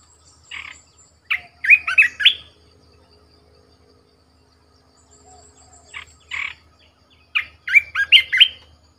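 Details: Red-whiskered bulbul kept as a decoy bird, singing short bursts of warbled, bubbling notes in two phrases separated by a pause of several seconds; a faint high thin whine runs in the background.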